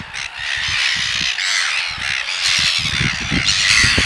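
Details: Courtship feeding by a Red-billed gull pair on the Otago Peninsula at Pukekura / Taiaroa Head, one partner begging and tapping the other's bill for regurgitated red krill. Loud, raucous, rapidly repeated squawks rise and fall, with low knocking sounds beneath.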